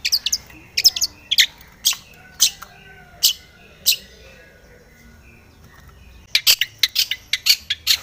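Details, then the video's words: Long-tailed shrike, agitated and looking for a rival: sharp, harsh notes spaced irregularly, then a quiet pause, then a denser flurry of rasping chips. "cendet gacor MENCARI LAWAN"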